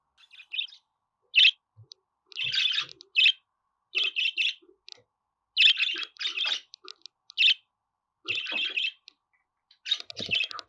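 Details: Budgerigar chattering loudly in buzzy chirps and short warbled bursts, repeated throughout with brief pauses, some notes grating and rough.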